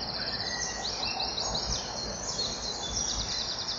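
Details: Common kingfisher at a nest-wall camera, 6 June 2014 at 05:41: a juvenile sits by the nest tunnel and a male lands on the front perch calling loudly, with thin, shrill, high-pitched notes in quick runs over a steady background hiss.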